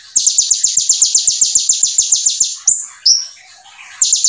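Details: Konin, the brown-throated sunbird, sings a brem ciblek-filled 'full nembak' phrase: a long even volley of piercing high chips, roughly nine per second, then two drawn-out slurred whistles, a gap, and the volley starting again.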